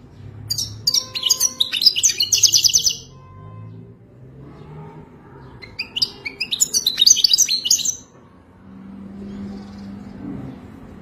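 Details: European goldfinch delivering authentic Wadani song for mating: two phrases of quick, tinkling, scratchy twitters separated by a quiet gap, followed by low droning hum with no singing.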